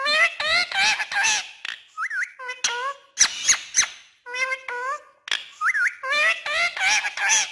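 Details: Pet talking parrot speaking Urdu indoors: quick bursts of squeaky, speech-like syllables with bent, wavering tones and short scratchy clicks, a brief rising whistle near the middle, packed closely over several seconds.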